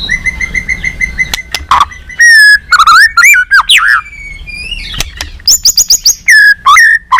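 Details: Murai batu balak 6 (white-rumped shama) song used as a bird-trapping lure: a long steady whistled note, then rich slurred whistles, sharp clicks and a run of high repeated chirps.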